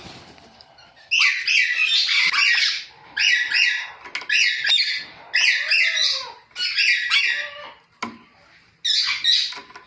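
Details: Ringneck parrot chirping naturally, a run of rasping, shrill squawks in close clusters, about seven bursts over ten seconds, broken by short pauses and one brief lower whine.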